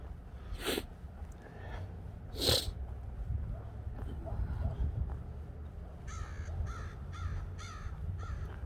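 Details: Many crows calling outdoors during a Sunday nature walk, with a little traffic. From six seconds, a run of about five harsh, rasping caws comes in quick succession, after two sharp bangs earlier and a steady low traffic rumble.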